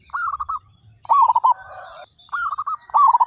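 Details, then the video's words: Local zebra doves from a group of 35, actively singing with big voices: short bursts of rapid, bubbling cooing notes, several phrases at slightly different pitches alternating about every second. "PERKUTUT LOKAL GACOR SUARA BESAR"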